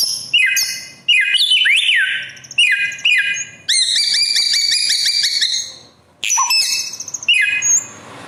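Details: Bare-throated whistler (Samyong, Kancilan Flores), a bird endemic to Indonesia and nicknamed the 1001-voice bird for loudly and fluently mimicking other birds. It gives loud, clear whistled phrases, some sweeping downward, others held on a steady ringing note, in bursts separated by short pauses.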